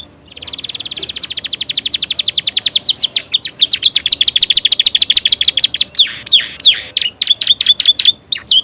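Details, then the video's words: Romeo canary in new feathers giving a long song with prenjak and ciblek imitations: a fast buzzy trill building in loudness, breaking into sharp repeated chirps and falling whistles. "kenari romeo gacor isian prenjak ciblek durasi masuk"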